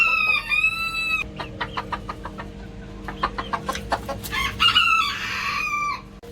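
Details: Young Ko Shamo cockerel raised in a coop gives a clear squealing note, then a series of rapid clucks, then a hoarse, rasping crow lasting over a second that trails into a thinner tone.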